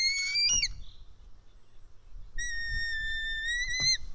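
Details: Hungry white-tailed eagle chick being fed fish on its Estonian nest, early afternoon of 4 July 2018: a short wavering squeal, a pause, then a long, even, high whistled scream, with nest rustles underneath.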